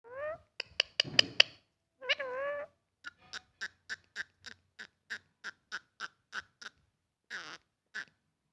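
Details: Pet parrot indoors giving harsh squawks and warbling calls, then a run of about fifteen short clipped notes evenly spaced, ending with a buzzy burst and one last note.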